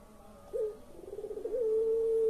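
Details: A pelung-style coo from a puter collared dove, intended to get lazy birds calling: a brief rising note, a throbbing trill, then a long clear held tone.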